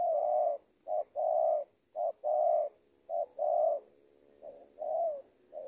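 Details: Spotted dove, a trained lure bird, cooing in low hollow notes, each phrase a short note followed by a longer rolling coo, repeated about once a second with brief pauses; quiet background.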